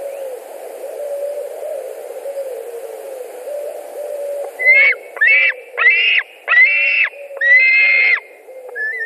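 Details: White-tailed eagles screaming at their Latvian nest on 2 August 2020 amid a fish delivery and squabbles over the carp: a run of five hoarse, harmonic yelps spaced under a second apart after a quiet start with low background hum.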